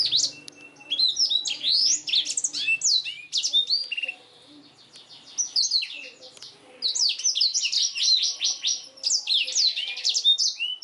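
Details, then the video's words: Black-throated canary singing energetically, recorded as a tutor track for canaries: dense bursts of high chirps, rapid trills and sweeping notes, broken by a short quiet gap near the middle before the varied phrases resume. "BLACKTHROAT GACOR SUARA JERNIH UNTUK MASTERAN KENARI"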